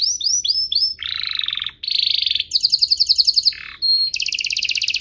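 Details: A domestic canary sings a master song meant for training young canaries and stimulating singing: a few upslurred notes, then buzzy rolls at two pitches, a pulsed rattling trill and a brief whistle.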